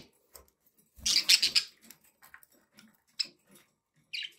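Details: Pet budgerigars warble in a loud, dense, scratchy burst early on, then quieter ticks and chirps, ending with a clear high chirp.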